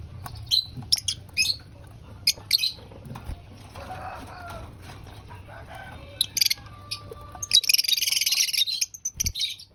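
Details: Lovebird at breakfast, eating, with quick thin high chirps early on, a softer mid-pitched muttering phase, then a loud grating shrill burst near the end.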